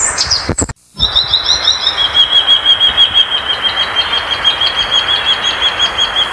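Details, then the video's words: Violaceous euphonia singing: after a short break, a long run of quick, thin, high notes rolls steadily on one pitch, roughly three per second, over a constant hiss. "Gaturamo verdadeiro, Canto oficial."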